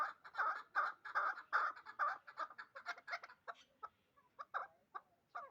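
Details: Dushanbe hybrid partridge, aged two and bred for fighting and hunting, starts with a quick burst of throaty clucks that gradually slow, thin out and fade into scattered single notes.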